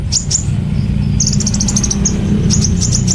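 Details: Kolibri ninja, a sunbird, singing 'nembak cililin' style in a songbird training recording: rapid series of sharp, very high ticking notes and brief trills, fast and clustered, with steady low rumbling noise underneath.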